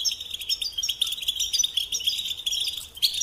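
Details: High, fast twittering of a European goldfinch, continuous chirps and trills over a soft hiss.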